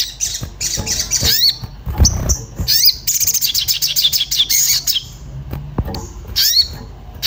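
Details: Agitated Orange-bellied flowerpecker searching for a mate, played as a lure to get birds singing: dense high twittering and fast trilled rattles with swept chirps, plus low thumps and a soft hum.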